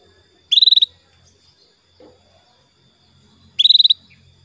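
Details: Female canary calling the male, used to lure a male into singing: two short, rapid, buzzy trills, each about a third of a second long, spaced roughly three seconds apart over a faint low hum.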